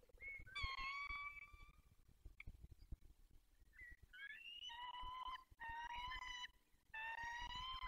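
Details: Peregrine falcons at their nest holding four eggs in Poland's Barycz Valley, early morning of 20 March 2022: several hoarse, harmonic wailing calls in bursts, some with a short rising start, over a low background rumble and tapping.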